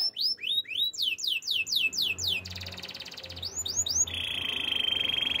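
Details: Waterslager canary in a training song, giving rapid repeated upswept chirps about four per second, then a dense rattling passage and a steady buzzy trill, over a soft low background hum.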